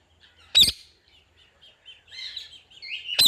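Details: Indian ringneck parakeet, calling: two loud harsh broadband bursts at the start and end, separated by soft chattering, warbled chirps and a rising whistle in between.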